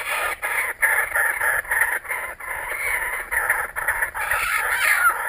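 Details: Kookaburras that have returned, a loud continuous chorus of grating, rapidly repeated chuckles with brief gaps, swelling near the close.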